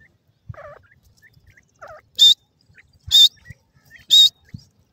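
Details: Francolin chicks, called golden francolin or grey Irani teetar: loud, sharp, high calls repeated about once a second, with softer lower chirps and faint scratching between them.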